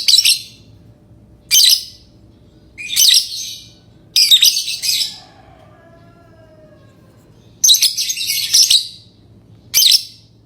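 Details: Piercing, scratchy lovebird chirps come in short bursts spaced one to three seconds apart, over a low background hum with a faint sliding tone midway.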